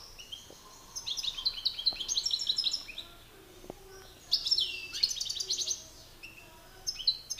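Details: European goldfinches in a singing battle between males, a master bird against an excited one: bursts of bright tinkling, twittering phrases with buzzy notes, separated by short pauses.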